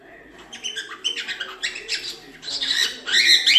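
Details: Cockatiel natural song, played for training young chicks to sing: a fast, busy run of chirpy, warbled and squeaky notes that grows louder and denser toward the end, with faint low murmuring underneath.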